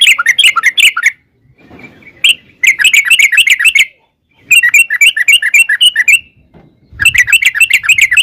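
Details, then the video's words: Sooty-headed bulbul lure song in the long 'ropel' style, used to make birds answer back. Dense bursts of fast twittering notes alternate with short pauses, and low thuds are heard between the phrases. "trucukan gacor TARUNG ROPEL PANJANG pancingan trucukan agar bunyi jadikan burung trucuk gacor NYAUT"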